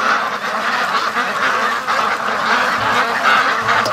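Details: Free-range domestic ducks rushing home from the lake straight toward their feed; a busy, overlapping din of nasal quacks from a large flock, continuous and even, with brief low knocks near the end.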